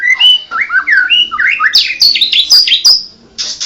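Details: Fluid whistled song of a white-rumped shama, Medan 'blorok' type, with quick swooping notes climbing from mid to high pitch, ending in a bright sustained whistle and a short harsh burst.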